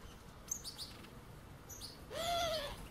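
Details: European goldfinch fledglings at a puddle, chasing the adults, give thin, high chirps, then a drawn-out nasal note that rises and falls, over a low background rumble.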